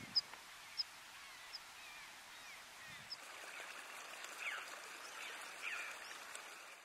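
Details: Water pipit (Anthus spinoletta spinoletta) at Tignes, France, in July 2020, calling with thin, sharp high notes, a few spaced a second or so apart, against a steady hiss of wind or running water.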